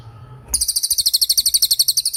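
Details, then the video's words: Training recording for murai batu and other songbirds, with a cililin tembakan burst: after faint background, a sharp, very high trill starts suddenly and runs on as a rapid string of over twenty clipped, even notes. "MASTERAN TEMBAKAN CILILIN GACOR DOR"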